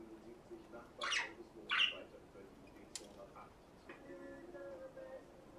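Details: A budgerigar hen (Melopsittacus undulatus) in breeding mood, kept in captivity, with a male showing interest, gives two harsh, scratchy squawks, followed by softer chirps and warbling.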